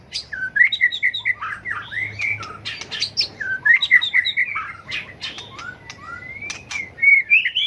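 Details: White-rumped shama flicking its tail while delivering competitive fighting song used to provoke and train birds; rich whistled phrases of slurred notes and sharp clicks, bursts repeating in two loud runs with brief pauses.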